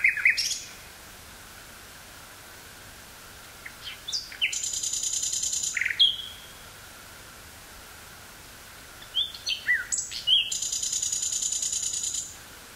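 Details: Nightingale song from woodland near Burgh-Haamstede, Netherlands, 18 May 1983, cassette recording: two phrases separated by a pause, each opening with clipped notes and ending in a loud, buzzy, rattling trill about two seconds long.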